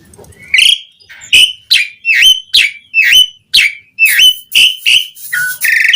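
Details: Singing Asian pied starling, jalak suren, recorded as a lure for starlings; a series of loud whistles, each swooping down then up, given roughly every half second, ending in a lower note and a rasp.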